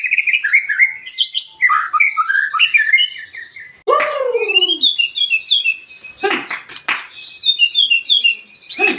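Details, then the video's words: Varied warbling phrases from a white-rumped shama, meant to rouse other birds to sing: tumbling mixed whistles, a lower swooping note, then thinner high twitters with sharp clicks. "Pancingan murai batu 🔥 Naikan emosi burung auto ikut gacor"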